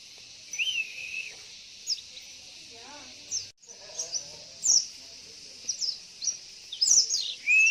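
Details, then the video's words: Female Javan white-eye lure call for drawing males into song: thin high chirps, sharply slurred downward, scattered irregularly, with a long level whistle early and late, a brief rasping sound mid-way and a faint steady hiss behind. "SUARA PANCINGAN Burung PLECI"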